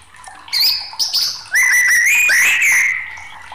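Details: White-rumped shama in an agitated singing bout, recorded for tutoring and luring: high clear whistled notes, then a long sustained rich whistle with a rising inflection and a buzzy overtone.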